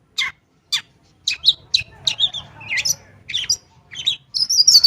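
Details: Long-tailed shrike song used as a lure to prompt shrikes that have stopped singing: separate sharp downward notes at first, then a faster run of scratchy, varied chirps and whistles ending in a thin high trill.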